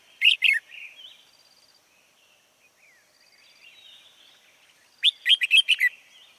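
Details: Lure red-whiskered bulbul singing during a late-afternoon trapping session on 16 March 2020: a pair of sharp, loud chirps, then quiet warbled notes, then a rapid run of five ringing whistled notes near the end.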